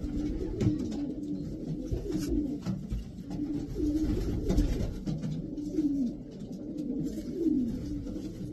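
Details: Racing pigeons, twelve birds of the Davy Van Roy line in a loft, utter repeated deep coos that bend up and down, alongside knocks and wing rustles.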